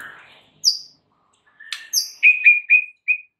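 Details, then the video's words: White-rumped shama training song: a high sharp note, a pause, then clear ringing whistles and a quick series of four short whistled notes. "MASTERAN MUTAI BATU GACOR , 3 DETIK SAJA DIJAMIN NYAUT SEKETIKA"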